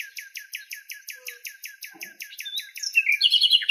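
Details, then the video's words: Common nightingale singing in Greek nature, recorded in its natural habitat: a rapid series of identical downward-swept notes repeated about four times a second, then a louder, buzzy, scratchy burst at the end. "ΑΗΔΟΝΙΑ ΚΕΛΑΗΔΗΜΑ η ΣΥΝΑΥΛΙΑ με ΑΗΔΟΝΙΑ - COMMON NIGHTINGALE SONG"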